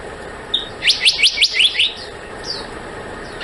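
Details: Black-naped monarch calling: a burst of six bright, upslurred chipping notes in just over a second, followed by scattered thin descending whistles against a quiet, hissy background.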